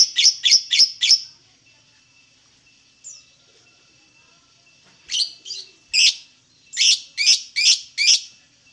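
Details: Lovebird song played as a lure to get other lovebirds singing: a fast burst of five sharp, high chirps, a pause with one faint note, then two more rapid bursts of loud chirps.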